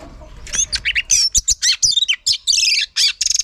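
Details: Oriental magpie-robin, from a recording of a female stimulating males, heard as a fast, varied burst of chirps, trills and sharp whistled notes packed tightly together, loud and rich throughout.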